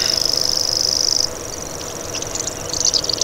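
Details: Common grasshopper warbler giving a high, insect-like buzzing reel for just over a second before it stops abruptly, followed by scattered faint high chirps from other birds.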